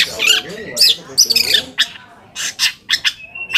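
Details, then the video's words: Long-tailed shrike song used to make other shrikes answer angrily: loud grating squawks and scratchy bursts, followed by short separated rasps and one thin whistled note. "PANCINGAN AMPUH BURUNG CENDET AGAR CEPAT GACOR - cendet manapun langsung nyaut dan emosi"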